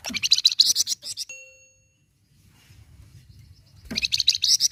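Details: Captive-stimulating flamboyan bird song: two bursts of rapid, high, chattering notes open and close the recording, separated by a clear ringing ding-like tone and a short near-silent pause.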